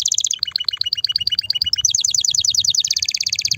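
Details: Loud, excited canary singing to stimulate mating and prepare females for nest building: rapid high trills switch quickly between tours, first a buzzy rattle, then evenly repeated sharp chips, then fast ringing high trills.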